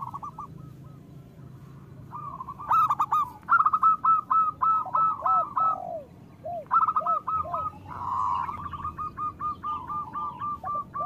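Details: Local zebra dove song meant as a stimulating lure for reluctant or moulting doves: quick stuttering trilled coos in bursts, interspersed with soft downward-curving notes, multiple birds calling together.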